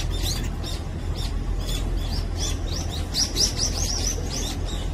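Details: Morning feeding brown-eared bulbul in Korea: scattered high chirps, then a rapid run of five or six arched notes near the end, with low steady rumble and possible wingbeats behind.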